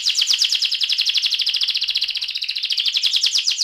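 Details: Fast continuous rolling trill from an AF canary singing ngerol: evenly repeated high buzzy notes about a dozen per second, steady and loud throughout.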